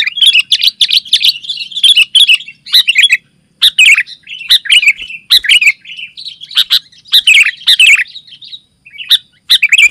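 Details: Sooty-headed bulbul singing in tight 'gacor rapat' style to call other bulbuls and tutor birds: steady stream of bubbly chirps and rolling phrases, with brief breaks between bursts.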